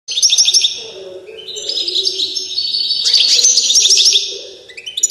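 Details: Balkan goldfinch, subspecies balcanica, in full song: a rapid, bright twittering stream of high tinkling notes and trills with short buzzy slurs, continuous for several seconds, with a faint low hum beneath.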